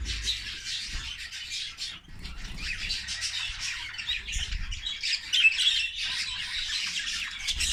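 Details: Budgerigars (Melopsittacus undulatus), English budgies, keep up a busy stream of scratchy chirps and squawks throughout.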